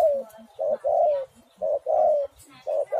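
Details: Spotted dove cooing to entice others to sing: brisk short coos, then long, level-to-falling coos, repeated close together with barely a pause.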